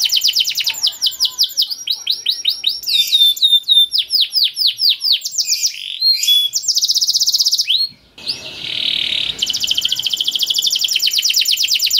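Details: Canary song in the long 'cuit cuit' style: rapid trills and sweeping chirps for about eight seconds, a brief break with noise, then a dense high trill.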